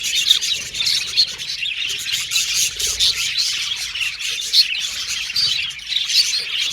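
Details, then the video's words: Pet budgerigars, a group of them, chirping and chattering together: dense overlapping high twittering, warbles and short squawks running continuously without pause. "Budgies Chirping Sound"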